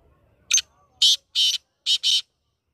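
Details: Black francolin call: a short harsh note, a gap, then two longer grating notes and a closing quick pair, all loud and raspy in a quiet setting.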